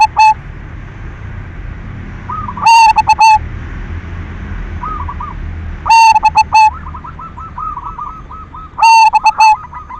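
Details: Silver-type zebra dove singing as a lure to provoke other doves to sing: four loud, overdriven bursts of stuttering coo notes, roughly every three seconds, while fainter purring, rolling coos continue in the background.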